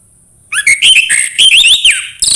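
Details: Orange-headed thrush song played to encourage singing: a quick, continuous warbling phrase of twisting whistled notes and chatters, starting abruptly and running for about two seconds, with a thin high whine behind.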